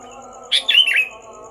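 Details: Pre-dawn song of a Sooty-headed bulbul, loud from 4 am: a single quick, bubbling phrase of three or four chirpy notes lasting under a second, against a steady background hum and a faint pulsing high tone.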